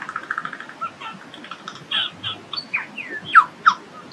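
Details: Male Superb Lyrebird in Dandenongs wet forest near Melbourne, singing from a bush to a female out of sight: a rapid mimicked medley of varied whistles, chirps and sweeping notes, ending in two loud, clear downslurred calls over soft forest hiss.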